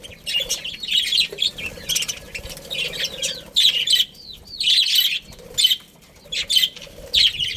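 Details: Budgerigars chirping: bursts of bright, buzzy, warbled chatter, some falling notes, separated by short quiet gaps, against a faint low hum.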